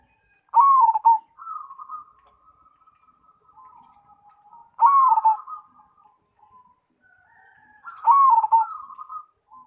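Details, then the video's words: Perkutut, a cemani zebra dove kept and bred as a contest songbird, cooing in a steady cycle: three loud bubbling coo bursts roughly every four seconds, each trailed by quieter, sustained coos. "Perkutut Cemani Gacor"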